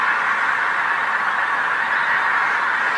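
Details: Pink-footed geese gathered in great numbers on a field along the North Norfolk coast, England, as the sun sets; constant dense clamour of overlapping nasal honks from many birds.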